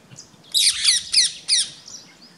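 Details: Rose-ringed parakeets mobbing a rat snake and nipping its tail in Gir Forest, Gujarat, India, on 3 April 2015; four loud harsh screeching squawks in quick succession, then fainter calls.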